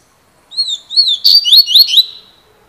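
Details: Double-collared seedeater (coleiro) described as fibra, song style called cilada: a loud, clear phrase of high whistled slurred notes, first gliding downward, then quicker rising-and-falling notes, lasting about one and a half seconds.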